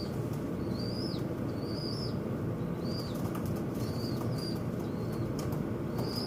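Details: Several birds squabble at a window, giving bright arched chirps roughly every second, with crisp knocks and clicks between them over a constant low hum.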